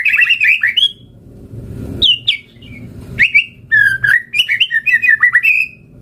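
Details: Lively singing white-rumped shama, recorded as a lure and tutor track packed with imitated fill-in phrases: quick runs of bright whistled, warbling notes and sharp upward slurs in short bursts, with soft low background noise between phrases.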